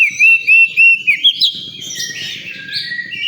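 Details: Oriental magpie-robin at a singing contest ground: a series of loud, clear, slightly rising whistles about three per second, then a fast warbling jumble of higher notes, low murmur of people beneath.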